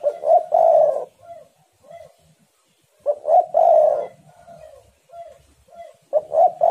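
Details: Spotted dove cooing, used as a lure to prompt other doves to call: a loud, husky rolling coo followed by two or three softer, hollow notes, the phrase repeating about every three seconds.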